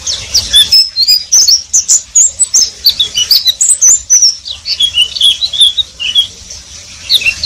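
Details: Pleci, the Oriental white-eye, in riwik song: dense, fast, high-pitched twittering and chirps pouring out in an almost continuous stream, with occasional sharp ticks.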